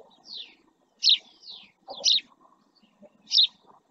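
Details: Lively series of downslurred chirps, about four in under four seconds, some doubled, from a male house sparrow at rest close to a camera in the Doñana marshland, Almonte, Spain; faint low background noise.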